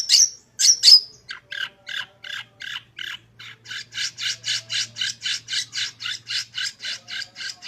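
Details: Long-tailed shrike recording meant as a master for training shrikes to sing; a few shrill whistled notes lead into a long steady series of harsh rasping notes, about three per second.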